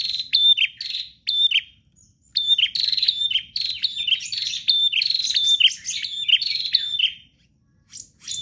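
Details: Persistent 'gacor' singing by a prinia: dense runs of high, buzzy, down-slurred chirps, an emphatic stretch of several seconds, then a pause and a short restart.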